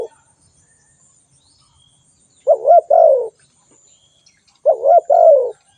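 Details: Spotted dove giving two soft, low cooing phrases about two seconds apart. Each is a quick double hoot ending in a drawn-out, downslurred coo. The background is otherwise quiet.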